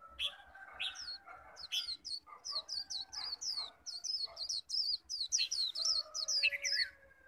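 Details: Pet Japanese white-eye in a heated 'khuyên líu' singing contest meant to call wild birds: a continuous stream of rapid, high, bouncing whistled notes across seven seconds, with fainter lower chirps beneath.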